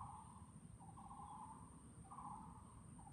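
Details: A Taiwan barbet recorded in Chunghsing New Village, Nantou, Taiwan, 12 April 2018, gives resonant low hooting phrases, each a brief lower note stepping up to a sustained tone, spaced roughly a second apart, with steady low-frequency rumble behind.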